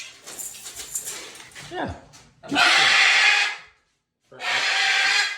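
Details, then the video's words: Pet macaws at dinner time give two long, harsh, grating screeches, each about a second, after a falling squeal, while a man talks softly in the background. "Macaw Parrots 🦜 | What it sounds like at some dinners"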